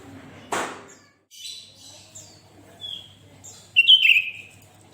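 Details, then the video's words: Sooty-headed bulbul singing actively (gacor), used to prompt other bulbuls to sing: a sharp noisy burst, then scattered high chirps and short whistled notes ending in a loud descending whistled phrase, with faint low hum. "Suara Burung kutilang Gacor"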